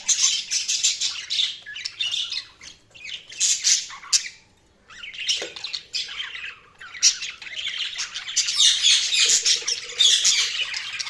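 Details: Budgerigars chirping: dense, warbling chatter of buzzy squawks and quick twittering notes in overlapping bursts, with a short pause near the middle before the chatter resumes.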